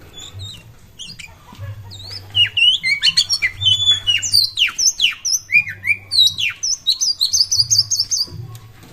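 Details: Lively singing from an Oriental magpie-robin played to draw other birds into song: dense run of sharp whistled notes, downward slurs and rapid chirps, swelling into a near-continuous sequence from the third second onward, with a low background hum.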